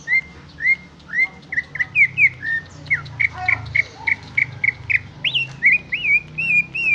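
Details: Greater green leafbird in full song: a lively, varied stream of whistled notes, upslurred and downslurred, repeated rapidly several per second, with some mimicry-like rich phrases and a faint low hum beneath.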